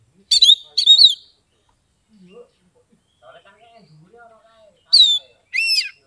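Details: Kept Oriental magpie-robin (kacer), Kebumen, Central Java, Indonesia, in ngeplong song style. Two bright whistled bursts are followed by faint low background murmurs, then two upswept, ringing whistles.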